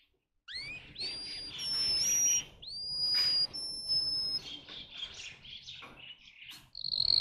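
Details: Russian song canary bred for singing, giving long pure high whistles and upward sweeps, with softer chattering notes and faint rasps between phrases.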